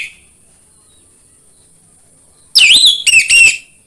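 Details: After a quiet stretch, an orange-headed thrush delivers one short, loud phrase of looping, sliding whistles and rich warbled notes. The recording serves as a lure to set kept birds singing, with a faint constant high-pitched hum.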